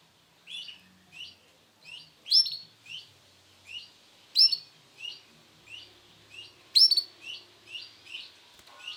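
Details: Male canary of the Sunkist colour form calling with bright downslurred chirps in an even series, broken by three louder, sharper shrill notes.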